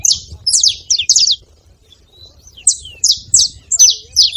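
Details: Wild saffron finches at a feeding spot: bursts of sharp, high downslurred chirps separated by a brief lull near the middle, then a renewed run of calls, with a quiet background.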